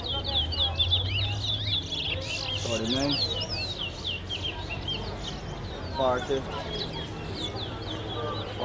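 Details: Competition towa towa from Guyana pours out fast, high twittering whistles in tight series, broken by two short descending trills, while a man counts notes over a low background hum.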